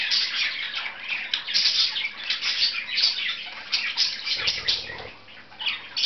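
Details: A pair of pet budgies at play, busy twittering with rapid chirps and scratchy warbled notes, briefly quieter near the end, plus a short low hum midway.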